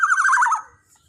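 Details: Black-naped oriole calling loudly as a lure meant to stir rival birds: a single rasping, nasal note with a fast wobble, about half a second long, fading out into near silence.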